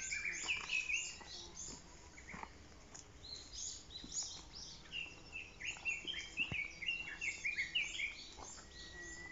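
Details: Hidden blue-and-white flycatcher among blooming Japanese ash and bird cherry: bright warbled whistles in short phrases, some ending in buzzy notes, over a busy background of high chirps from other birds and faint clicks.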